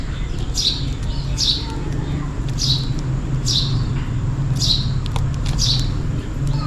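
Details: Sparrow calling for food on a rainy day: sharp, high chirps that slide downward, repeated about once a second, with six clear notes over a steady low background rumble.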